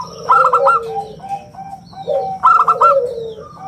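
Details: Lively local zebra dove with a round, crystalline song for luring and tutoring other doves: two bursts of fast, ringing coo notes, each trailing into a long lower descending coo, with softer notes between.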